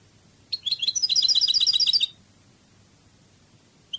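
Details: European goldfinch, Cádiz song style from Spain: a scratchy introductory note or two, then a rapid, regular trill of bell-like double notes running about one and a half seconds, with a short note at the close.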